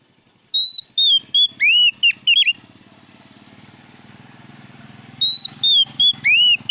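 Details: Kacer, the oriental magpie-robin, singing loudly as a lure: rapid phrases of ringing whistles and looping slurred notes, a pause filled with a low engine-like hum, then another burst of varied whistles.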